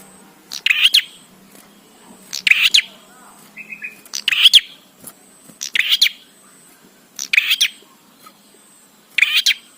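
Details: Bar-winged prinia in persistent song used as a tutor for prinias: coarse buzzy phrases, each with a paired click, repeated about every 1.8 seconds, plus one brief thin whistle.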